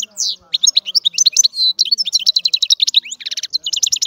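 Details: Dense, rapid song of a European goldfinch: sparkling high twitters, a short sustained whistle, and a closing run of buzzy trilled notes.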